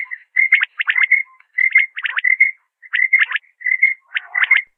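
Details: Common quail calling, recorded in 2020: crisp, quick notes grouped into short clipped phrases of about three, repeated roughly once a second with brief pauses, clear against a silent background.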